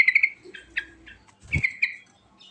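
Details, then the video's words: Sooty-headed bulbul, locally trucukan, in rolling 'ngerol' song with a rich fill: a quick run of bright repeated notes, scratchy chips, then a loud slurred buzzy phrase over a low knock. "Suara Burung Trucukan Terbaik Ngerol Isian Mewah"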